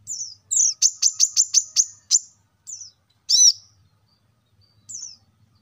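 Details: Plain-throated sunbird, kolibri kelapa, whose lively chirping is played to make caged birds sing; thin downslurred high notes, then six rapid sharp ticks, a single arched chirp and one last falling note in near silence.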